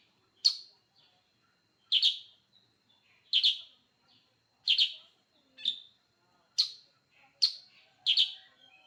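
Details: Sooty-headed bulbul giving lively song: eight crisp chirps, some doubled, spaced one to one and a half seconds apart, over a faint steady high tone.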